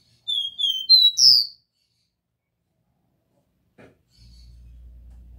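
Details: Copper seedeater, song in the pure 'Dó Ré Mi' style, used to warm up a captive bird: a short phrase of clear whistled notes, two level ones then rising, higher slurred notes, about one second long, followed by near silence and low hum.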